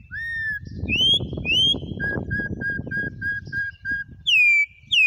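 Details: Campo troupial singing in the wild in Brazil: rising whistles, then a quick run of eight short even whistled notes, ending with loud falling whistles; muffled low noise beneath.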